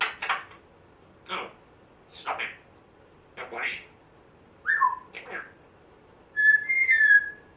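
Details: Captive African grey parrot, one month after rescue, makes a run of dry clicking and hissing bursts, then a short falling squeak and a steady warbled whistle at the end.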